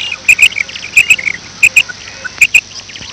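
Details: A female quail gives a morning call of sharp, high paired clicking notes, the pairs coming roughly every three-quarters of a second over a faint background hiss.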